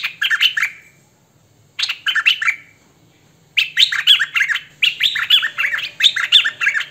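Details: Hwamei, 'thơm mồi' condition, recorded by phone or camcorder: short bursts of fluid whistled notes, then after a pause a longer, fast warbling stretch of repeated liquid phrases.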